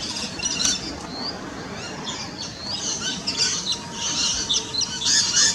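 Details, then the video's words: Feeding rainbow lorikeet captured on a Nikon P900: rapid, overlapping shrill squeaks and rasping screeches, a busy high-pitched chatter that rises and falls without pause, with a faint steady hum underneath. "Rainbow Lorikeet"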